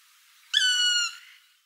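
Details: Black woodpecker (Dryocopus martius), call.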